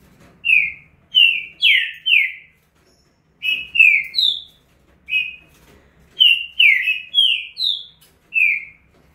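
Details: Rapid estouro song of a green-winged saltator: strong, ringing whistled notes in tight clusters, some gliding down, others level, broken by short silent gaps across the phrase.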